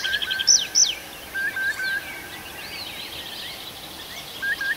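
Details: Birds in a night forest, Arkhangelsk region, June: two loud, high sharp notes open the phrase, followed by scattered twittering and warbling from several birds over a steady hiss.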